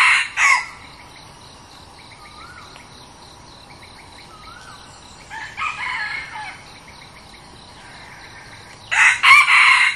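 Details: Decoy red junglefowl crowing several times, harsh loud crows at the start, in the middle and at the end. Between them come steady rhythmic insect chirps and faint rising whistled notes.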